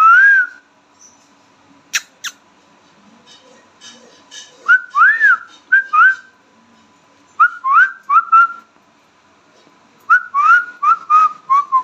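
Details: Pet Indian ringneck parrot talking in bursts: a held whistled note, two sharp clicks, then clusters of short, rising whistled syllables that grow faster and more crowded toward the end.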